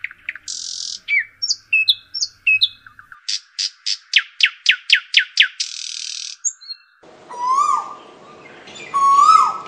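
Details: Chirping birds in a sal forest garden at Jambari, Cumilla, Bangladesh. Buzzy bursts and bright whistles lead into a rapid run of sharp descending chips, then swooping rising notes over a rougher, noisier background.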